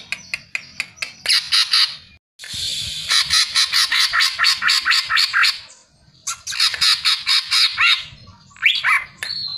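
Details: Greater green leafbird song for luring other birds to sing: several long, fast trills of repeated high buzzy notes with short gaps, opening with sharp clicks and ending on a slurred downward whistle.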